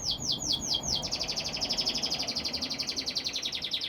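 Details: Singing canary: a few loud downward-sweeping notes give way to a long rapid rolling trill, steady and high-pitched, pulsing many times a second.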